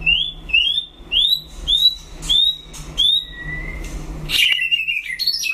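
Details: White-rumped shama in a solo singing duel: a series of clear, rising whistled notes repeated about every half second, ending in a brief, harsher jumbled burst, with a steady low hum behind.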